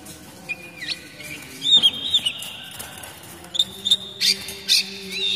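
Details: Oriental magpie-robin, called kacer daput, sings its basic song used to lure young forest birds and to help moulting birds sing. The song is sparse, with thin sliding whistles and a few clipped high notes separated by quiet gaps.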